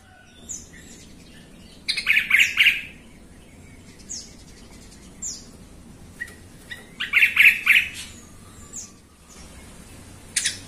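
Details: Sooty-headed bulbul in a lure recording meant to make other bulbuls sing: two rich, fluty trilled phrases several seconds apart, with scattered thin chirps and a sharp note at the end.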